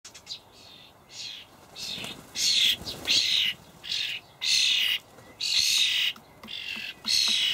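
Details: Young common starlings begging in a Hamburg allotment garden on 28 May 2012 while parents feed them dried buffalo worms; harsh, broadband rasping bursts repeated roughly every second, with short clicks between.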